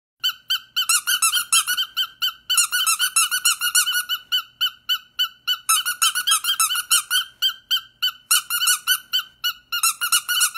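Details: A pet bird squeaking with a watermelon: quick, bright, harmonic squeaks, about three or four a second, in steady bursts in a quiet room.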